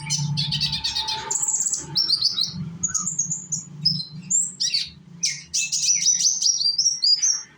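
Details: Young sunbird from Indonesia, used as a lure to get other sunbirds singing along; a fast, high, twittering song of short sweeping and buzzy notes in rapid bursts, over a steady low hum.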